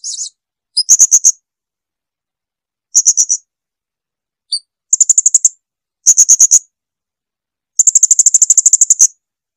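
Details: Blue-crowned hanging parrot, clean recording meant for teaching cage birds: a brief harsh buzz, then bursts of thin, very high rapid notes, closing with a long quick trill of about fifteen notes.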